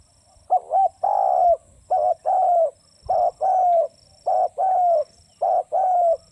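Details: Repeated spotted dove coos, soft and hollow-toned: a brief note, sometimes wavering, then a sustained, gently descending hoot, with the pairs following each other roughly every second.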